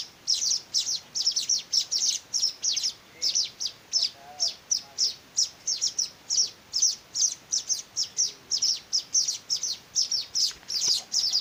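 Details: Weaver chicks being hand-fed keep up a long, urgent stream of high squeaky chirps, about three or four a second, some doubled, with faint soft clicks in the background.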